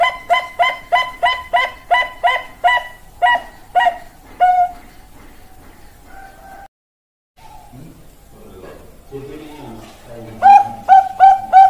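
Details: Bangkok-type zebra dove giving a rapid run of about a dozen short, evenly pitched coos over four seconds. A few lower drawn tones and a brief pause follow, then murmuring voices, and finally another burst of quick coos.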